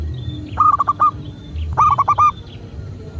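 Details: Coo of a local zebra dove, recorded as a prompting track so other doves start calling. Two clustered phrases of four or five rapid, mellow beats follow each other a little over a second apart over steady low background noise.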